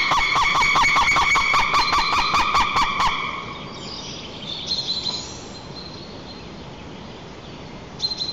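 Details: White-tailed eagle (Haliaeetus albicilla) at its nest 35 m up in Nizhnyaya Kama National Park, Tatarstan, at dawn on 14 April 2024, calling during nest change-over between mates: a fast, even run of yelps, two or three a second; faint small-bird calls and hiss follow.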